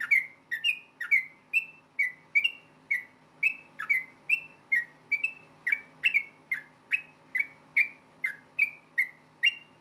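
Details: Yellow-vented bulbul, locally trucukan, giving its fast fighting song ('ropel tarung') to make rival bulbuls call back: an unbroken series of about twenty crisp whistled notes, each slurring slightly, delivered about twice a second, with faint low hum beneath.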